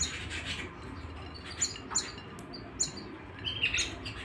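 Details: Canary singing at home: scattered, brief high chirps and thin whistled notes, sharper bursts near the middle and a short trilled flourish toward the end, over a steady hiss of background noise.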